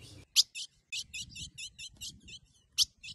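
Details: Female Ultramarine grosbeak (azulão) soliciting the male for mating: a quick run of about a dozen short, sharp, high chip notes over three seconds, two of them notably louder and harsher, with faint low background rumble.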